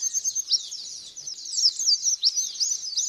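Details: White-eye song as a lure for getting a bird to respond, a fast run of high, thin, twittering notes with sharp rising and falling slurs packed tightly together.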